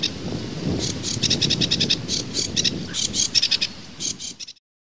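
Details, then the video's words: Sedge warbler singing: a run of dry, buzzy, chattering notes repeated in quick bursts, some higher clicks mixed in, over a low rumbling background that fades out near the end. "Камышевка-барсучок — Acrocephalus schoenobaenus"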